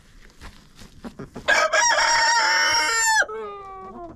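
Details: Rooster crowing inside a chicken coop, filmed with a GoPro: a few soft clucks, then a loud bright crow held for nearly two seconds that drops sharply in pitch at the end and trails off into a lower tail.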